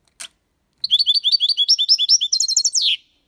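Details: Goldfinch singing a clean Málaga-style phrase for training young birds to sing: a single sharp click, then a continuous two-second stream of quick, liquid, tinkling twitters that ends in a buzzy downslurred note.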